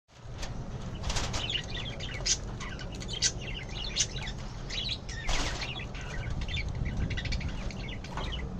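A bulbul gives quick, bright chattering chirps in irregular bursts, over a steady low rumble with brief fluttering sounds.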